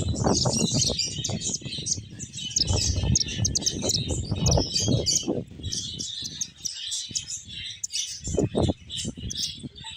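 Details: Playing finches fill the air with rapid, irregular high-pitched chirps and twitters from many birds at once, accompanied by repeated low thumps and rustles of wings and movement.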